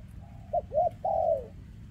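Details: One full kem ruoc phrase from a spotted dove with a trembling leg, 2024: a soft level tone, two quick rounded coos, then a long, slowly falling coo, against a low rumbling background.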